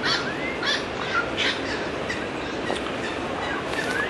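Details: Pied currawongs, gathered in a paperbark tree, give short, ringing whistled notes that swoop up and down, spaced irregularly about every half second to a second, over steady background hiss.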